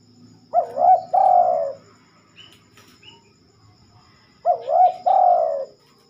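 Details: A spotted dove sings at night, which it seldom does. Two phrases about four seconds apart each start with a rolling, quavering coo and end in a sustained, falling note. A soft low murmur runs underneath.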